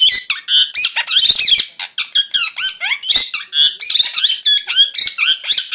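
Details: Parrot chirping nonstop, a dense, fast chatter of shrill twitters, squeaky notes and short whistled slides throughout, broken only by tiny gaps.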